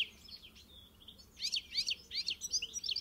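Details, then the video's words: European goldfinch, encarte song: soft twittering, then louder bursts of bright, liquid, descending chirps repeated in quick groups. "melher canto do Pintassilgo encarte"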